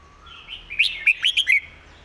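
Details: Red-whiskered bulbul cage bird delivering a crisp master-song phrase: a soft rising lead-in, then four or five quick, loud, clipped whistled notes.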